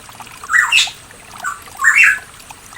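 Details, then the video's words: Pitohui singing in the mountains of East Java, Indonesia: two loud phrases of slurred, rising whistles around half a second long, with a faint trickle of water underneath. "PANCINGAN BURUNG PITOHUI MACET"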